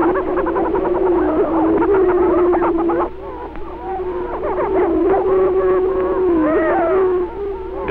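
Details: Greater prairie-chickens on spring booming ground, Benton County, Missouri, 1948 recording: steady low hooting boom drone under overlapping whooping and cackling notes sliding up and down, brief lull midway.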